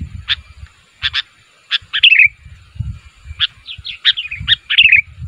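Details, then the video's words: Sooty-headed bulbul calling so other bulbuls answer: spaced single chirps and short warbled flourishes, with a busier cluster of notes near the end; soft low thumping noises underneath. "SUARA BURUNG KUTILANG MEMANGGIL, KUTILANG LAIN MANA TAHAN GAK NYAUT"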